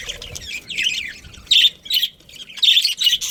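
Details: A budgerigar colony kept as breeding pairs: sharp, high squeaky chirps in short bursts, some slurred and rising, with brief gaps and a cluster of loud notes toward the end.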